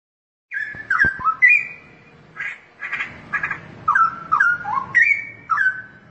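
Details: Straw-headed bulbul in full song, loud rich whistled phrases sliding between low and high notes and given in quick bursts after a brief silence, with a faint low hum in the background.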